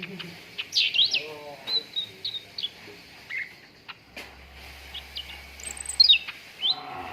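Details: Training recording of a cucak ranting for contest birds: scattered clear whistled chirps and short slurs, quieter in the middle, with some buzzy lower notes and a faint hum.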